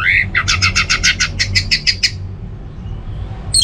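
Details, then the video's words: Caged orange-headed thrush giving a rapid run of about a dozen harsh, evenly spaced chattering notes after a short rising whistle, then quiet. "ANIS MERAH TELER"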